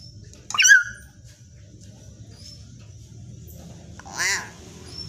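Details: Common hill myna, with the sound used to prompt other mynas to sing: a sharp falling whistle with rich harmonics, a quiet pause, then a wavering buzzy call with stacked harmonics; low hum in the background.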